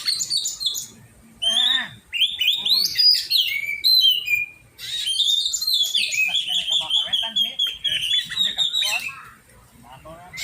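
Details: Oriental magpie-robin in song training, bright whistled phrases with rapid trills and a long run of repeated clicking notes over a steady whistled tone, faint voices low in the background.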